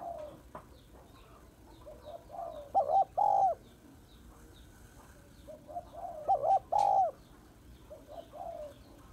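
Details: Female spotted dove calling to stimulate males: two phrases, each of soft lead-in coos then a loud wavering note and a longer steady hoot, with faint high bird chirps behind.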